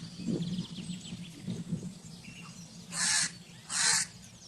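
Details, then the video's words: Two loud, rasping crow caws nearly a second apart rise above a noisy background of low hum and faint chattering sounds. "Crow Calling Sound"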